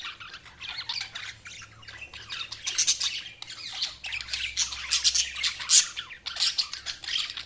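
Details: Budgerigars chirping and chattering, bursts of grating warbled notes about every second or so, busy overlapping calls with a low steady hum.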